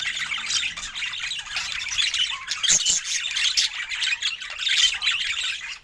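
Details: Budgerigars chirping in joy over fresh food, recorded in Scandinavian daylight: loud, overlapping raspy chatter and brief whistles from several birds, with a couple of knocks.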